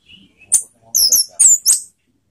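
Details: Orange-headed thrush, lure song to stir emotion and breeding urge; a soft thin whistle, then sharp high slurred notes and quick descending warbles in rapid succession.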